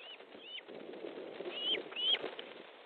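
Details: Osprey at a nest in Estonia, July 2014 evening, as fish is brought in: several short thin whistles, curving up and down, over a muffled rumbling background.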